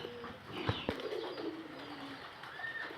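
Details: Low, humming coos from local pigeons run in short level phrases, with two knocking sounds near the start and a thin high whistle late on.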